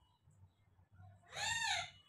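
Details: Pet bird indoors calling to its owner because it cannot see her; a single loud, harsh, rising-falling squawk lasting under a second after near silence.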